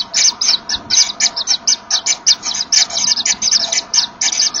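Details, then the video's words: Common Kingfisher nest sounds as the male makes way for the female carrying a fish, the birds blowing at each other seemingly to locate each other; quick, regular breathy puffs in a continuous rhythmic series. "Ze blazen wat tegen elkaar, kennelijk bepalen ze zo elkaars locatie."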